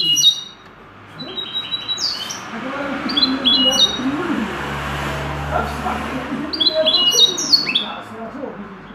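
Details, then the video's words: Goldfinch-style song from a trained common linnet: rippling runs of high, metallic notes that break off, then return in a dense twittering phrase near the end, with a rumbling background in between. "Pardillo educado a cante de jilguero"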